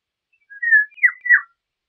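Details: Golden oriole singing one compact fluted phrase: a smooth low whistle, then two quick down-slurred liquid notes, all within about one second.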